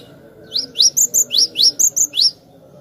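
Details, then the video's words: Glatik batu (cinereous tit) singing, a recording meant for luring birds: about nine high, piercing rising notes delivered rapidly in a steady series over low background hum. "suara merdu burung Glatik Batu Pas banget buat pancingan"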